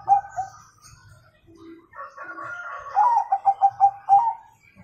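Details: Zebra dove of the Bangkok type singing in the kung style, used for training young birds: a brief coo at the start, mixed chatter in the middle, then a run of rapid pulsed coos ending in a longer note.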